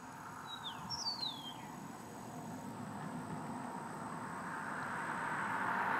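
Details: An Eastern Meadowlark in Everglades National Park, with tree swallows hunting nearby, sings a brief song of two clear, slurred whistles sliding downward, over a steady, growing roar of passing traffic.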